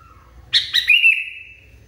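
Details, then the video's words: A single phrase from an agitated sooty-headed bulbul. It opens with abrupt, harsh chirps, then stretches into a long steady note that slowly fades. "KUTILANG NGAMUK PARAH"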